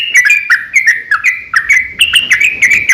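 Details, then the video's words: Sooty-headed bulbul fighting song used to lure other bulbuls; a brisk series of clear, slurred whistled notes, some rising, others dropping, delivered in a fast, uneven rhythm. "KICAU SUARA trucukan gacor ROPEL panjang pancingan trucukan agar bunyi"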